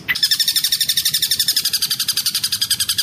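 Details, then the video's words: Long-tailed shrike singing mimicked kingfisher calls as a fast, steady trill of high, sharp notes at about four per second, with a brief rising note at the start. "SUARA ASLI BURUNG CENDET ISIAN TENGKEK BUTO"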